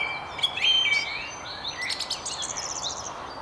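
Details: Song thrush singing away atop a tree on a riverside walk by the Tyne near Haddington; a rich whistled phrase opens, then a rapid buzzy series of repeated high notes trails off.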